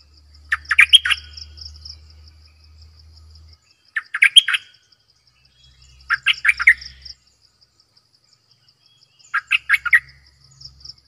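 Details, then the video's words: Cream-vented Bulbul used as a decoy bird, repeating short warbled phrases of rapid bubbly notes four times, every two to three seconds, against a steady high insect trill and faint low hum. "เสียงนกดอกแตงEp.112 Birds sounds"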